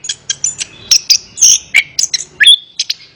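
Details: Short burst of Orange-headed thrush song, used to make a lazy bird sing along. Choppy, scratchy high notes and a few whistled slurs with small gaps between them.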